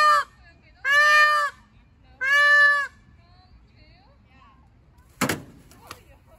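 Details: A peacock gives loud, nasal, wailing calls, three in quick succession about a second apart, then attacks a van, making two sharp knocking thumps.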